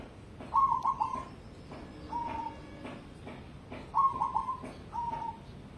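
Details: Cemani zebra dove, a contest-grade bird, sings two pairs of phrases: a bubbling trilled coo followed by a shorter smooth coo, with faint knocking sounds in the background.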